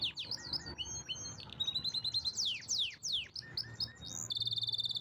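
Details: Pet canary singing: varied high sweeping slurs and whistles, a steady tone, then a fast even rolling trill at the end, with a low background hum.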